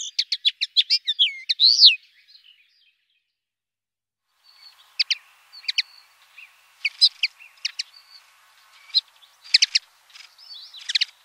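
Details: Common linnet, a small brown finch with a pinkish breast, giving its soft, pleasant twittering song: a fast burst of sweeping high notes, a pause, then scattered short chirps and dry twitters.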